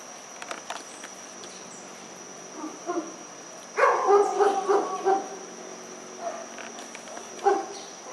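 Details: Dusky-legged guan, one of two birds seen in a rural condominium at Pereira, Colombia, 25 November 2021 around 5:30 pm; a run of hoarse, honking barks with several clipped notes, over a steady hiss of insects.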